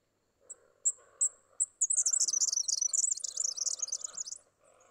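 A red-backed fairywren gives four thin, very high, spaced notes, then breaks into a fast, reeling trill lasting about two and a half seconds. A faint low hum sits underneath.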